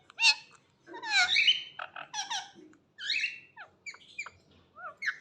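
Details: Parrot talking: a string of short, squeaky, harmonic syllables with rising and falling sweeps, spaced by brief pauses in a quiet room.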